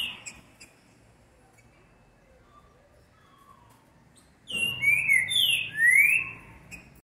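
A green-winged saltator delivers a loud burst of rich, slurred whistles, rising and falling, after a quiet start with faint high chirps from other birds.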